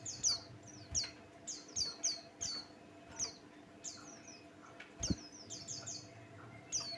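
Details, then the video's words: Lure song of a Buxtoni white-eye, played to set other birds singing: rapid sequences of high, falling, sweet chirps repeated roughly every half second, with a low mechanical hum and a single dull thump. "Burung pleci Buxtoni pancingan bikin geger"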